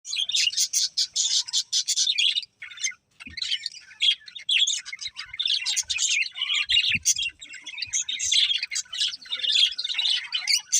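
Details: Happy budgerigars singing while eating: continuous high, scratchy warbling chatter in rapid bursts, broken by brief pauses, with a few faint low knocks.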